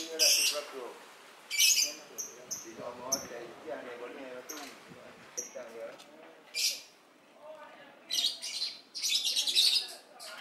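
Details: Lovebird on heat, captive-born, giving scattered shrill chirps and squeaks at irregular intervals, separated by quieter stretches of soft murmuring chatter.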